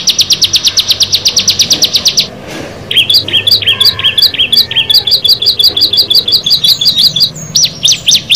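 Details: Bar-winged prinia among six birds: a rapid series of sharp chirps, a short pause, then varied upslurred whistled notes in quick clusters.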